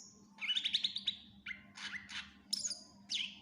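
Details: Energetic greater green leafbird giving a full song with mimicry fills, for use as training audio for other birds: a rapid string of bright trilled notes, then separated slurred whistles and sharp high chips, with a faint background hum.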